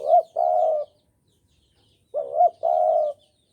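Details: Spotted dove cooing, used as a lure for bird trapping: two deep coo phrases about two seconds apart, each a short rising-falling note followed by a longer steady purring coo, in quiet surroundings.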